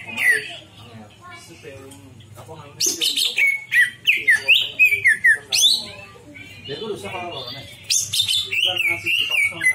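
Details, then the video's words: Greater green leafbird song used as a lure to make birds show their full repertoire: varied bright whistles and chirps in bursts, with a steady low hum in the background. "pancingan c,ijo bongkar isian"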